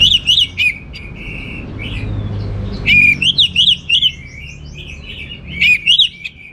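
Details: Singing Orange-headed thrush, gacor teler style with rich material: quick looping whistled notes in fast bursts of about four, separated by thin sustained tones, repeated three times across the stretch.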